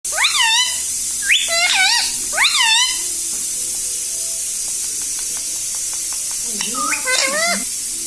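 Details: Pet parrot talking, repeating "Mummy": three bright, wavering harmonic phrases in the first three seconds, a quiet gap with faint clicks, then two more rising-and-falling utterances near the end.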